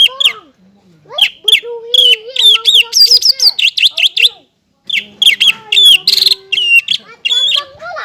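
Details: Varied, energetic song of a captive greater green leafbird, meant to stimulate untrained birds: rich mix of whistles, upslurred and downslurred notes and chatter, with a lower warbling line beneath, a brief silence midway.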